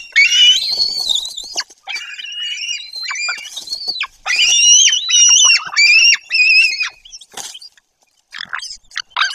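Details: White-tailed eagle near its nest in Bory Tucholskie, Poland, in the 2024 breeding season, as one eagle drives another away: loud, high, yelping calls in rapid overlapping series, some rising and falling, with brief pauses between bursts.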